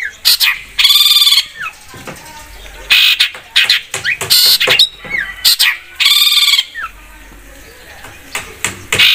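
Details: Cendet (long-tailed shrike) in an energetic lure recording: grating, buzzy rasps alternate with brief slurred notes and clicks, with quiet gaps between bursts.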